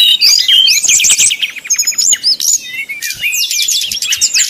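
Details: Brown-chested jungle flycatcher, 'nyuling' style song used to provoke rivals: bright whistled phrases and rapid chattering notes, quieter in the middle, then a sudden loud burst of high trills.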